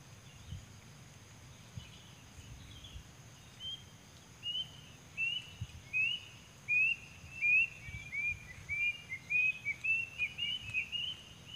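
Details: Recorded in the wild, a cuckoo gives short, high whistled notes in a quickening series, more than one a second, over a steady background hiss.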